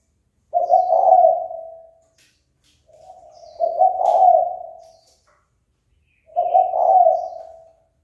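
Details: Spotted dove calling to incite fighting: three drawn-out, breathy coos, each swelling then trailing away, spaced roughly every two to three seconds, over faint high chirps.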